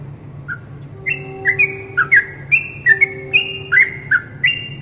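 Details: A yellow-vented bulbul (trucuk), recorded as a training tutor for morning and night contests, sings bright, bubbly whistled phrases, short notes bending up and down about three times a second over a low steady hum.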